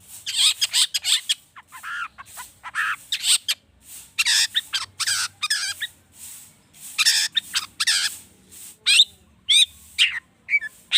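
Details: Agitated long-tailed shrike pouring out rich mimicked phrases, used as a lure for other birds to sing: long run of harsh rasping bursts, trills and whistled notes with short breaks.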